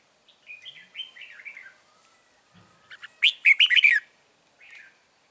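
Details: Red-whiskered bulbul near a trap with a caged lure bird, 9 March 2020: soft, descending warbles, then a loud burst of rapid, ringing notes and a final short chirp.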